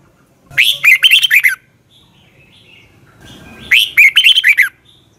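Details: Morning song of a red-whiskered bulbul, played to train birds and lure them: two lively warbled phrases of ringing whistled notes that rise and fall, separated by a few seconds of near silence with faint rustling.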